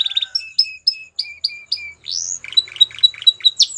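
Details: Belgian canary song meant to make a canary sing again: a quick trill, then a series of evenly spaced two-part whistled notes, a rising sweep, and fast descending chips at the end.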